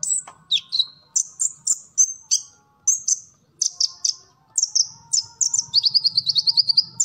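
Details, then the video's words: An olive-backed sunbird sings, recorded for training captive birds: varied high chirps and whistles in quick succession, ending in a long rapid even trill; quiet background with slight low hum. "Kolibri Ninja Gacor Full Materi"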